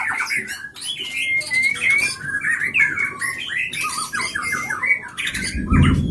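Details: Captive White-rumped shama from the Leuser area of Gayo Lues, Aceh, Indonesia, a breed noted for mimicking surrounding sounds: dense sharp whistles and chattering phrases over noisy background rumble, with a loud thump near the end.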